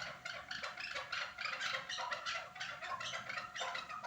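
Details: Chukar partridge calling at Norak, Tajikistan: dense, rapid runs of harsh clucking notes that overlap into a continuous chattering series with no clear pauses.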